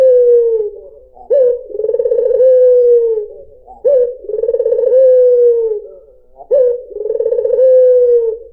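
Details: White dove (puter putih) lure song: deep, mellow coos in a steady cycle about every two and a half seconds, each beginning with a sharp rising note, then a pulsing trill and a long falling tail.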